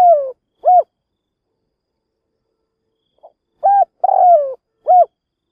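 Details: Decoy spotted dove calling to provoke wild doves for trapping: a low cooing phrase of a quick soft note, a flat coo, a longer burry coo sliding downward and a short arched coo, repeated after a pause.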